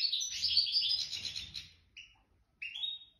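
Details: Wild, nest-raised goldfinch singing in the wedani style: a rapid, dense twittering run of high tinkling notes, then a pause and two clear rising whistled phrases, with a soft low rumble under the opening.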